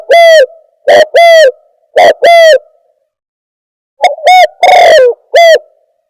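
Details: Spotted dove coo played as a trapping lure: clear, loud two-note coos repeated three times, then after a short silence a longer phrase with a drawn-out central coo and a final short coo.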